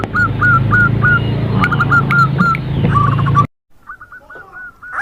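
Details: A zebra dove, which calls every morning, gives quick runs of short, soft, hooked cooing notes, four or five at a time, over a low steady hum.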